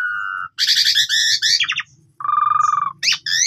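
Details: Asian pied starling giving a full lure song for training: a steady whistled tone, loud harsh chattering phrases, a brief pause, a rattling mid-pitched buzz, then sharp rising whistles, with a low background hum.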